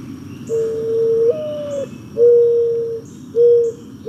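Mourning Dove cooing: a soft, low, hollow first note that lifts and slurs upward, then three steady, mellow hoots, owl-like in tone.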